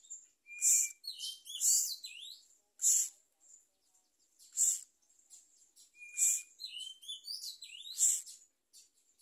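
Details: Myna chick receiving a large blue caterpillar from its parent: sharp, scratchy high calls in separated bursts, about seven, mixed with quick sliding whistled squeaks.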